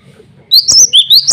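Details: Male cinereous tit (glatik batu) calling rivals and females: four or five loud, high, upward-sweeping chirps in quick succession, with a low hum underneath.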